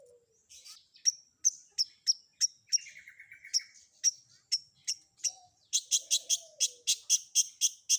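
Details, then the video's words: Long-tailed shrike song in a combination fill-in (isian) style: sharp high chips repeated about every third of a second, a brief lower buzzy trill midway, then a faster run of bright strident notes. "Suara Isian Kombinasi Cendet"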